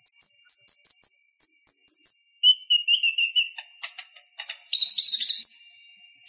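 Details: Konin, or purple-throated sunbird, used as song tutor: a very high thin repeated trill, then lower slurred notes, a burst of dry clicks and a dense chattering phrase.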